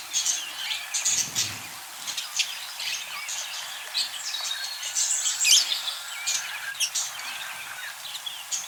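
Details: Budgerigar parakeets kept as pets, a busy chorus of many overlapping chirps, squeaks and warbled trills, high-pitched and continuous, with quick rising and falling notes throughout and no clear pauses.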